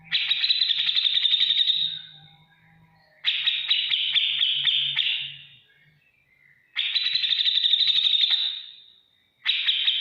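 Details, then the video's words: Grey-cheeked bulbul ngetik ngipik song used as training material for cage birds: bursts of rapid ticking trill about two seconds long, each fading out, separated by short silences, over a faint low hum. "masteran cucak jenggot gacor beset ngetik ngipik untuk segala burung apapun nyaut"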